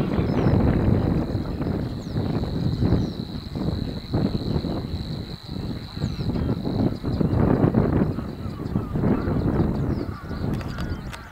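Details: Two wild Savi's warblers at De Onlanden in Drenthe, Netherlands, late April 2018, late morning: a continuous insect-like reeling trill holds one pitch for several seconds, then fades near the end, while strong gusty wind roars underneath.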